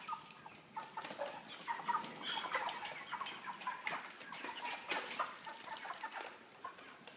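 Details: Caged 3 kg broilers with a plastic floor and an interior pan feeder. Overlapping clucks and short chirps from many birds swell and fade, punctuated by clatters and taps from the cage.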